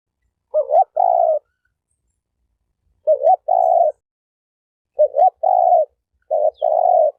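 A dove gives four low, mellow coo phrases, each a short rolled note and a longer steady coo, spaced about two seconds apart; nothing else is heard.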